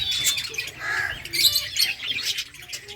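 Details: Finch colony feeding on eggfood: dense, overlapping high chirps and squeaky notes from many birds, steady chatter throughout, faint low hum beneath.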